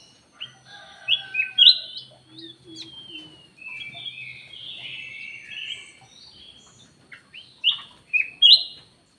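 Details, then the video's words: Ruby-throated bulbul in active lure calling: rich, warbled whistled phrases that rise and fall, a long central stretch of varied notes, then loud sharp whistles toward the end. "KUTILANG EMAS \ CUCAK EMAS SUARA PIKAT GACOR"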